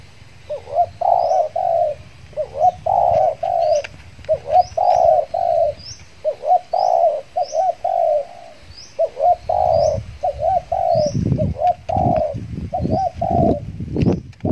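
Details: Decoy spotted dove in the Riau Islands, Indonesia, luring wild doves after moulting; long run of rhythmic husky coo phrases, accompanied by regular high chirps of small birds and rustling noise toward the end.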